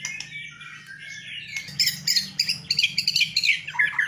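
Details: White-rumped shama in a bowing display pours out a dense, high, rapid chattering stream of scratchy twitters and trills, the fast notes packed tightly after a softer, thinner opening phrase; faint low hum underneath.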